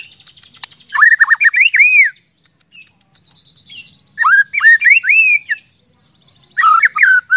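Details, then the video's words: White-rumped shama singing as a lure to prompt other shamas into song. It gives three bursts of varied, fluty, looping whistles, each about a second long and separated by pauses, over faint high chatter. "pancingan murai batu agar cepat gacor ngeplong"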